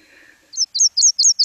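Nashville Warbler song: a quick series of high, thin two-part notes, repeated about five times in a second. A faint murmur of voices comes just before.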